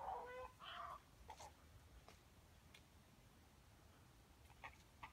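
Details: Hungry heron chicks being fed by their mother give a burst of harsh, nasal squawks in the first second, then scattered dry clicks and taps over a quiet, hissy background.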